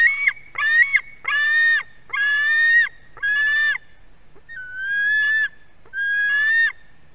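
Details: White-tailed eagle young screaming at fish arrival, Durbe nest, Latvia, afternoon of 31 August 2020; a run of seven harsh screams, the early ones with sharp clicks, later ones more whistled and spaced wider.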